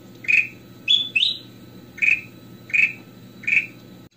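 A goldfinch gives clear, bright chirps about every three-quarters of a second, with one quick two-note twitter near the start. A faint low hum sits underneath.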